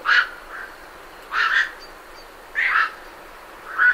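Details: Night herons flying off from a roost give rough, broadband croaks, some doubled, about one each second, at medium close range with great reed warblers in the background.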